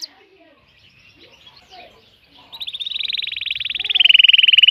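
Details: Excited male canary calling a female to mate: after faint scattered chirps, a fast buzzy trill of rapidly repeated notes begins, then drops into a lower, even faster rolling trill.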